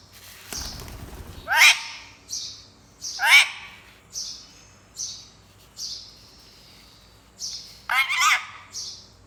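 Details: Parrot kept as a pet, said to talk in Urdu, alternates brief shrill chirps with three loud, harsh, downward-sliding squawks, after a short burst of handling noise.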